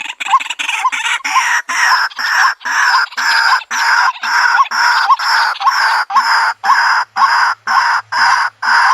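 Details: White-breasted waterhen call used to lure birds into a trap in the countryside: loud, harsh, croaking notes repeated steadily about twice a second, each a broad noisy burst, continuing without pause through the recording.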